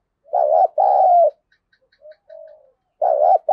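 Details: Contest cooing of a spotted dove in the thổ voice style, used to provoke fighting: a strong hollow phrase of a quick double note and a sustained coo, then quiet low murmurs, then the phrase starting again.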